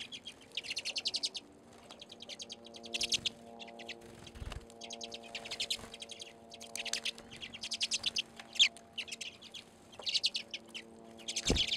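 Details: Redpolls, small finches kept supplied at a seed feeder through the Alaskan winter, recorded in February in Anchorage. Loud, repeated bursts of fast, buzzy rattles and trills about a second long, over a steady low hum.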